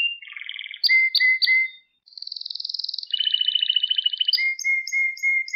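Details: Pet canary singing, used to train young canaries: rapid rattling trills, sharp clicks followed by steady whistled notes, a brief pause, then a buzzy high roll and a run of short repeated whistles.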